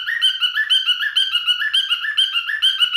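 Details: A male pet cockatiel sings a quick sequence of warbled whistles, each note sliding upward then dropping, pulsing about twice a second.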